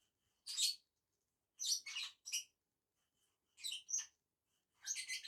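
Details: A pair of lovebirds eating on a tree branch gives loud, buzzy shrieks in groups of one to three, separated by clear pauses of about a second.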